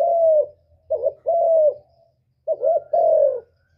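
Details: Spotted dove coos used for trapping and to rouse caged birds: a long falling coo, then a short note and a drawn-out coo, and after a pause a double note leading into a long descending coo.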